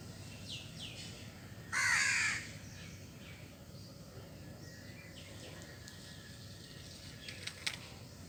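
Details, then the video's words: Crow calling while eating cooked food and grains: a single loud, harsh, hoarse caw lasting under a second near the two-second mark, otherwise quiet apart from faint high chirps and light background hiss. "Crow eating cooked food and grains and making noise"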